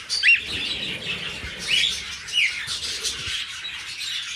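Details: Cockatiel father and son calling: three short, bright whistled notes sweeping upward, spaced about a second apart, over a steady background of dense high chirping from other birds.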